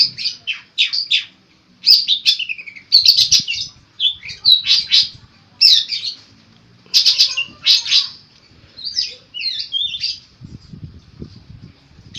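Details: Long-tailed shrike singing a lively song full of mimicked phrases, intended as a master recording: loud harsh chirps and squeaky slurs repeat in irregular bursts, with soft low rustling near the end.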